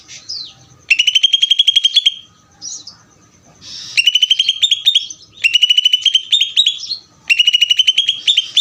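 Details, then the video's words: Greater green leafbird singing in the ngeder style: four bursts of rapid, evenly spaced sharp chirps around a bright ringing pitch, each lasting about one to one and a half seconds, separated by short pauses with softer whistled notes. "cucak ijo ngeder"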